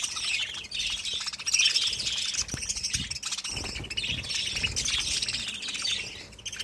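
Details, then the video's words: Several budgies keep up a busy, continuous chatter of high chirps and warbling twitters, with a few soft knocks and low thuds in the background. "BUDGIES Chirping Sounds"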